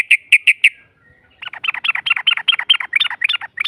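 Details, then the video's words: Yellow-vented bulbul lure song aimed at provoking a rival: four loud, clear notes, a short pause, then a long rapid string of buzzy, doubled chirps in the 'ropel' manner. "Pancingan trucuk NARUNG NEMBAK Ropel panjang BUAT Mancing EMOSI LAWAN PASTI nyaut Ngropel Seketika"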